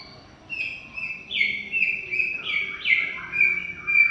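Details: Greater green leafbird singing a long, lively song: loud whistled phrases that slide and step between high and mid pitches, some bright and ringing, others slurred, repeated in quick varied bursts.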